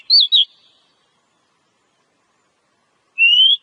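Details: Oriental magpie-robin (kacer) from the wild, singing in the cobra-like style called ngobra; a pair of fast high twisting whistles, silence of nearly three seconds, then one long rising whistle.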